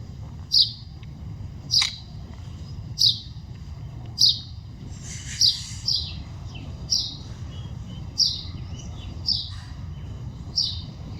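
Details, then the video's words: Birds chirping outdoors in the wild: crisp high chirps repeat about once a second, some with fainter extra notes between them, over a low steady hum. "Chidiya Voice Sound"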